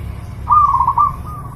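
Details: One lively zebra dove phrase from a clear master recording used to train pet birds: a rapid series of rolling coos trailing into a steady fading note, set against a low humming background.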